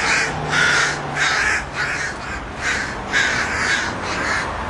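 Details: Crows on a street in West Hollywood giving harsh, hoarse caws in a loose run of about six calls, some doubled, with uneven gaps; faint low rumble in the background.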